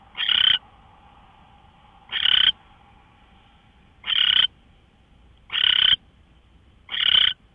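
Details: Early-morning owl, 5:27 AM on 24 March 2013, producing five rough, noisy screech-hisses of under half a second, separated by gaps of about one and a half to two seconds; faint steady hum between them.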